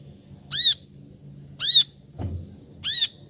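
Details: Three sharp, arched chirps from a brown-throated sunbird, about a second apart, with a brief knock between the second and third.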